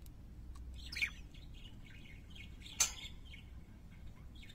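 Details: Parakeets singing with soft rolling chirps and warbled phrases, interrupted by two sharp clicks, over a faint low hum.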